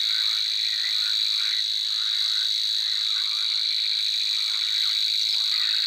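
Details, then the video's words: A grass warbler gives a steady, high, insect-like reeling buzz without a break, over a lower chorus of croaking and chirring calls. "Grass warblers. Birds singing. Unusual bird chirps"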